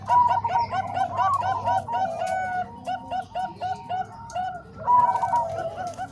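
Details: Combined song of Bangkok and Cemani Kolbuntet zebra doves meant to teach other doves: overlapping trilled cooing phrases rise and fall in loudness, pausing briefly before a strong new burst near the end.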